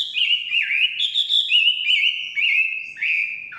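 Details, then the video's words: Forest song of a Chinese hwamei, a steady chain of loud, clear whistled phrases, each sliding down then up again, repeated about every half second with little pause. "Nikmatnya kicauan wambi/huamei hutan"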